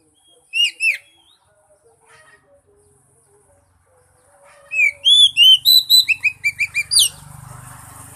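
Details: Prompting song of an Oriental magpie-robin for a mute bird. Two sharp whistled notes are followed by a pause with soft chips. A rapid string of bright, slurred whistles then ends in a burst of rustling noise.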